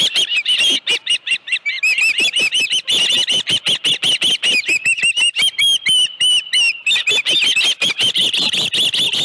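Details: Osprey calling at the nest with a live fish, Dunrovin Ranch, 25 July 2018 around 5:23 PM: nonstop high piercing chirps in fast series, some notes drawn out into rising and falling whistles.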